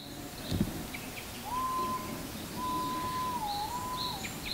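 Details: White-bellied green pigeon, heard but not seen in the mountains at Nanbara Gorge, Hiroshima, Japan, on 15 May 2019, gives its "oh-aoh" song: a long, mellow, flute-like whistle that holds steady, then wavers down and up, with faint high chirps from other birds.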